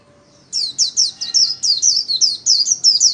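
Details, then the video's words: Solo white-eye, a kept songbird in daily song training, pours out a continuous high, rapid twitter of sweeping, slurred notes, roughly a dozen quick phrases in under three seconds over a quiet background. "KHUYÊN LÍU SOLO RẤT HAY - LUYỆN KHUYÊN LÍU MỖI NGÀY"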